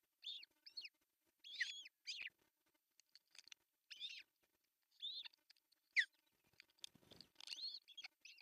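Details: Osprey at an artificial nest in Pohjois Satakunta, Finland, on June 10, 2024, as the male brings a big fish for breakfast: short, harsh, whistled yelps in quick bursts, pausing between groups, with a brief rustling thud near the end.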